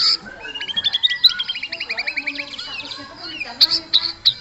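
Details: Aggressive white-rumped shama singing to provoke other shamas into singing and fighting; rapid chattering run of high, sharp repeated notes, then scattered loud piercing chips.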